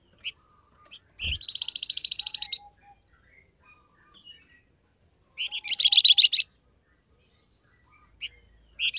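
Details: Flamboyan bird call intended to make wild birds respond: a long, fast, buzzy pulsed trill of about twenty notes, a quiet gap with faint high whistles and low piping, then a shorter second trill and a brief click.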